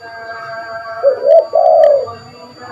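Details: Spotted dove calling, a lively call used to lure birds: a short rising coo then a longer mellow coo, low and soft, over a faint steady background hum.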